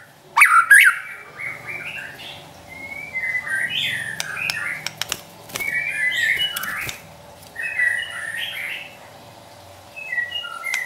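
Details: White-rumped shama in trotol song, recorded as provocation for caged shamas: an opening sharp burst, then softer slurred whistles and warbles spread out over a constant background hum with scattered clicks.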